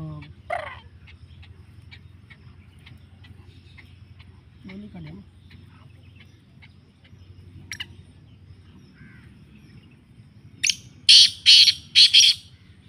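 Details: Black francolin calling: after a long stretch of low steady hum with scattered faint clicks, a burst of four loud, harsh, grating notes comes in quick succession near the end.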